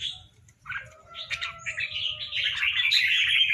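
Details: A pair of tame, caged red-whiskered bulbuls starts with scattered chirps and a thin drawn-out whistle, then builds into rapid, dense chattering warbles. Low murmuring background noise runs throughout.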